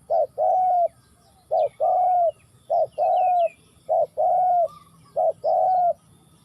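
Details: Spotted dove, Ninh Thuận, Vietnam: repeated mellow coo pairs, a short note then a longer descending one, with faint high chirps of other small birds in the background.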